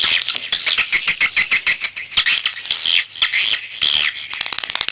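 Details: Calling sound of swiftlets: rapid, high, rattling twitters in quick bursts of about two per second, forming a thick clicking chatter throughout.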